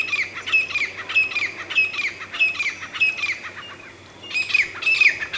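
A grey francolin gives harsh, squawking, high-pitched notes in a fast run of about one and a half per second, with a short pause before a louder final burst.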